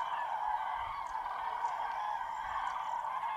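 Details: Hundreds of wild common cranes waking at a huge roost in Tablas de Daimiel National Park, Spain, on a freezing, foggy mid-January dawn, with some greylag geese and teal. A dense, unbroken wall of overlapping trumpeting calls holds steady throughout.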